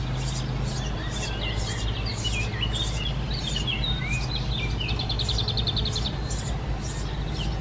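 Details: Eurasian tree sparrow nestlings give high, thin chirps and quick twittering runs, with one fast chattering burst, over a steady low rumble.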